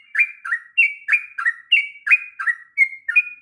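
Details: Sooty-headed bulbul singing a long bubbling song, kept as a training voice for young birds; rich whistled notes around the upper-middle range, each dropping or flat, delivered in quick bursts about every third of a second. No other sounds.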